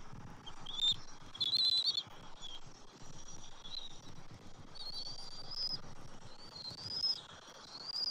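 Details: Bald eagles at the nest on the morning of January 27, 2024, during a feeding in which the father delivers fish to the eaglet: faint, high, thin whistles come and go over steady rustling background noise.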